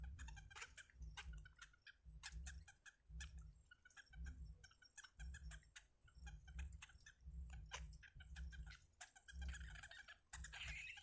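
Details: Wild yellow bittern nestlings being fed at the nest as the mother brings up food; bursts of sharp clicking chips come roughly once a second, alternating with low rumbling pulses.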